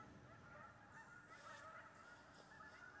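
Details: Geese landing in a wheat pasture at dawn on October 25th, listened to from a deer stand. Many birds give overlapping, wavering honks that rise and fall in a busy chorus, louder midway.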